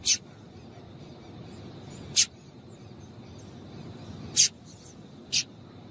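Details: Female double-collared seedeater call, used to stimulate males to sing, gives four sharp, high chips at uneven gaps of one to two seconds, over a faint steady high tone and soft background hiss.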